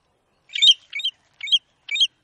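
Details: American golden plover from Brazil giving four short, bright, chirping notes with several stacked tones, spaced about half a second apart, the first note longest; no other sounds.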